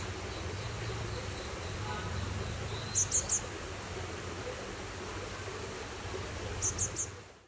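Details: A juvenile Cinereous Tit fledgling that has fallen from its nest calls for help with two quick bursts of three very high, thin notes, several seconds apart, over a steady low rumble.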